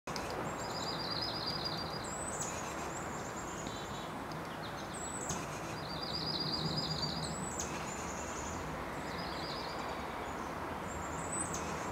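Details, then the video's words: Slate-coloured dark-eyed junco singing in early spring. It repeats a high, even, musical trill about every three seconds over a steady traffic-like rumble, with a few thin chips from other birds. "Junco Singing"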